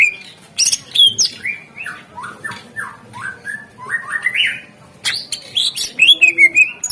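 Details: Greater green leafbird lure song for prompting birds that have gone quiet: long, varied chattering of squeaky, downward-slurred whistles and harsh chips, delivered almost continuously, with a brief pause before a louder rapid flurry.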